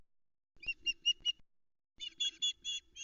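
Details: Wild female osprey begging for fish at a Loch Arkaig nest on a July 2020 morning. Two short series of piercing high chirps, about four or five notes each, separated by a brief pause.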